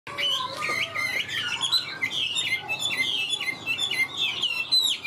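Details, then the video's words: Caged Chinese hwamei, a newly arrived bird about 95% tame, singing loudly: a dense run of rapid whistled and warbled phrases, sliding up and down, with barely a pause. "Họa mi bóng bộ to đẹp hót cao"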